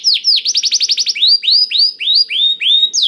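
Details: Canary singing to encourage other canaries to sing: a quick trill of short falling notes, followed by slower, evenly spaced rising-then-falling whistled sweeps about four per second.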